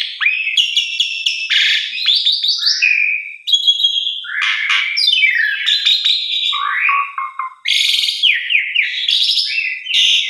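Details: Black-collared starling song played each morning to prompt stressed or non-singing caged starlings to sing; rapid sequence of shrill whistles, descending slurred phrases and grating, chattering notes, loud and unbroken throughout.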